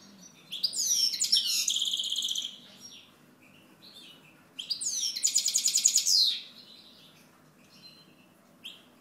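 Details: Goldfinch song from a European goldfinch, two loud phrases of rapid liquid twitters mixed with buzzy trills, each about two seconds, separated by quieter chirps, with a low steady hum underneath.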